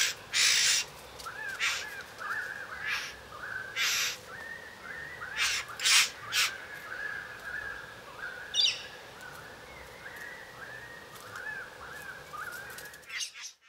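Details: A male satin bowerbird courting a female with dance and varied songs gives harsh, buzzy bursts between runs of quick, looping mid-pitched notes that rise and fall, repeated steadily for about thirteen seconds.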